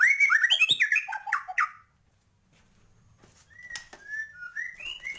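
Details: Energetic murai batu (white-rumped shama) song of the 'gacor, full isian' style, used to fire up birds: dense tumbling whistles and fast chattering notes, a silent break, then sparse sweet rising and falling whistles.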